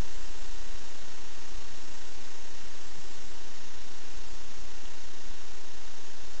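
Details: Quieter even static hiss over faint low rumble, with no animal voices.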